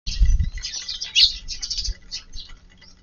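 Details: Eurasian tree sparrows visiting a garden at lunchtime on 13 March: a cluster of high, thin chirps overlapping one another, with a low thump at the start and quieter chirping fading out.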